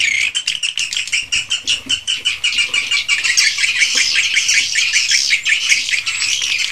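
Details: Swiftlets in a swiftlet house: rapid, evenly pulsed buzzy chirps, about two to three per second, stand out at first, then blend into a dense, rasping chorus of many birds.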